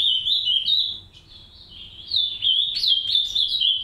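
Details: Green-winged saltators, a pair with three chicks kept in an aviary; sharp, high chattering notes tumble rapidly, about four per second, easing briefly before a strong, wavering run to the finish.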